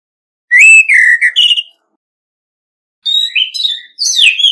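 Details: Decoy Orange-headed Thrush in competitive song: two separate phrases, the first a falling, slurred whistle followed by quick chattering notes, the second a rising run of sweet whistles ending in a bright, sliding flourish, with no background noise.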